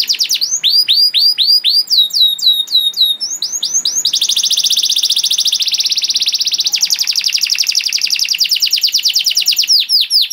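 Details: Long canary song offered as a master for young birds, with sweeping downslurred whistles, a dense buzzy rolling trill, and a faster rattling tour near the end.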